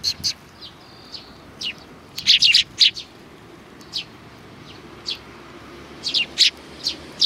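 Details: Sparrows on 29 May 2019 giving scattered sharp chirps, a louder cluster of rapid notes near the middle, then more chirps in short groups.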